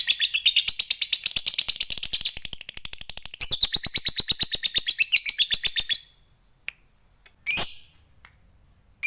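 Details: A fighter lovebird delivers its 'ngekek panjang' long chatter meant to rile up rivals: six seconds of fast, rasping, evenly pulsed high notes, then sudden silence broken by a single sharp chirp.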